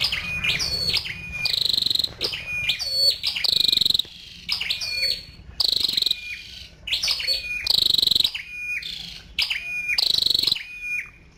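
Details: Harsh, buzzy high bursts from a female scarlet-backed flowerpecker, each preceded or followed by crisp thin chips and short whistles, repeated in quick groups with short pauses.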